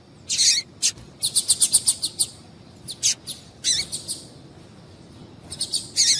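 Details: Female double-collared seedeater call meant to excite a male; rapid high chirps in bursts, a fast run of about eight even notes, scattered pairs, and a final quick flurry, with faint background hiss.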